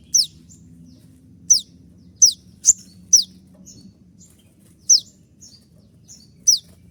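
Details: Moulting konin still in full song, 'tembakan' style master recording for training birds: quick, piercing, high downslurred notes fired singly or in pairs at irregular gaps, with softer high chips between and a low background hum.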